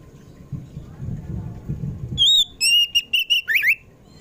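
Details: Kacer poci Oriental magpie-robin afternoon song for luring pet magpie-robins into singing: low muffled rumbling noise first, then a crisp phrase of high whistles with a rising start and a tumbling finish.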